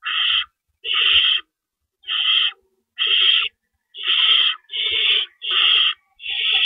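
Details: Harsh, raspy owl screeches at a nest before dawn in April 2012 while rabbits are delivered and removed, each burst about half a second, coming in an uneven series near one per second.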